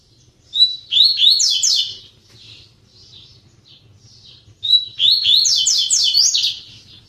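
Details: Captive double-collared seedeater in a flight cage delivering two loud song bursts about four seconds apart, each a fast run of high slurred whistles and crisp notes, with quieter twittering in the gap and a low background hum.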